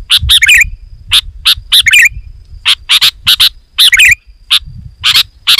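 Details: Sooty-headed bulbul in loud gacor song, played to lure wild bulbuls. Harsh chattering chirps and bubbly warbled phrases in uneven bursts, with a low rumbling hum underneath.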